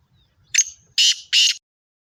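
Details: Loud, harsh call of a female black francolin, called a speeder kala teetar: a short scratchy note with a whistled trail, then two long broad rasping notes about a third of a second apart, in a quiet setting.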